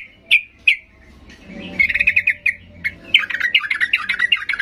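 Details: Agitated sooty-headed bulbul singing to provoke quiet birds into answering; two sharp isolated chirps, then a busy tumble of squeaky, bubbling notes that builds into a dense chattering run.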